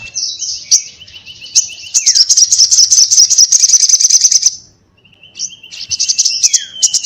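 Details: Crimson sunbird in fierce 'ngobra' chatter: thin whistled notes, one falling sharply, then a long, loud, buzzy high trill of rapid ticks that stops abruptly and restarts after a brief pause.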